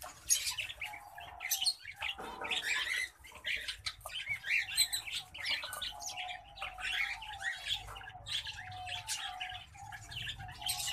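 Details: A cross between green singing finch and black-throated canary pours out a long, dense warbling song of chirps, trills and twitters, with hardly a break between phrases.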